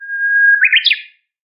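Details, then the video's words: A Japanese bush warbler sings one phrase: a drawn-out, level whistled note that breaks into a quick, rising, warbled flourish, clean and without background noise. "ウグイスの美しい囀り02 高音質【野鳥観察 鳥の鳴き声 バードウォッチング】Japanese bush warbler Calling Bird Sound Bird Song"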